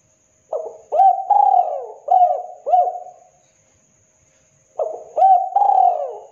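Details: Spotted dove, a local bird, calling: a series of soft, low, slightly rolling coos, several notes in a first phrase, then a pause of about one and a half seconds before the next phrase starts; otherwise quiet.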